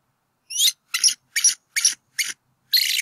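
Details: Wild bald eagle pair calling at their nest on a college campus in northwest Georgia, 8 April 2018, while the male chases off an intruder; high, shrill chittering notes in six short bursts, the last a rapid trill. Chick lies flat in nest.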